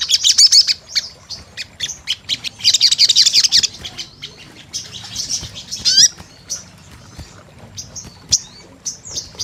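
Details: High-pitched sunbird 'gacor' lure calling: short bursts of rapid buzzy trilling mixed with scattered thin, sharp chirps and quick upward sweeps, loosely spaced with brief pauses.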